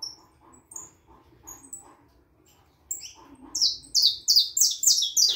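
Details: A four-and-a-half-month-old harlequin saffron finch starts with soft scattered high chips over low background murmur, then breaks into loud, rapid, buzzy falling notes over the last two seconds.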